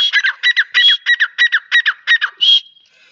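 A female grey francolin gives a fast run of about ten harsh, squeaky paired notes, ending in one longer, higher screech; no other sounds.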